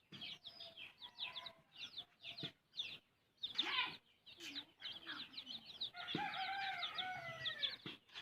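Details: Hen feeding her chick: high, curling chick peeps in fast runs, a loud burst midway, then a long, steady, harmonic hen note with peeps still chirping above it.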